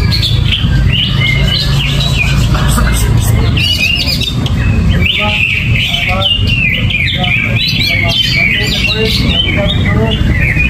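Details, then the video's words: Greater green leafbird in full gerabakan song, uncovered and without banana: varied chattering whistles and buzzy trills pour out continuously, and a loud low rumble runs through the background. "Cucak Ijo Gerabakan No Pisang , No Kerodong , Cuaakkzzz !!!"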